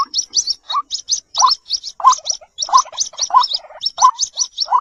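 White-breasted waterhen chicks give rapid, thin high peeps, several a second, mixed with lower, husky upslurred notes about every second. No other sounds.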